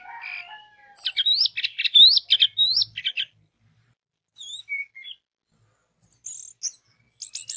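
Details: An orange-headed thrush used as a lure to make other orange-headed thrushes sing: a fast burst of looping, slurred whistles, then scattered sharp chirps and short twittering phrases after a pause.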